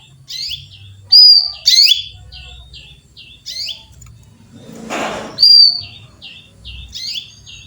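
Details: Female canary calling for a male, with quick high chirps and thin whistles in an uneven rhythm, plus a short rustling burst midway and a low background hum.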